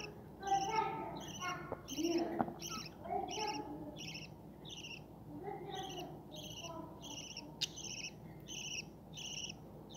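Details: Budgerigars breeding, babies present: a fast run of short, rasping chirps, about four a second, with softer lower chatter early on and a sharp click near the end, over a quiet background hum.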